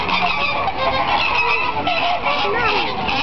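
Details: Flamingos in a captive flock at Sea World, San Diego, giving a dense, continuous chorus of nasal, goose-like honks with overlapping rising and falling tones, loud throughout with no pauses.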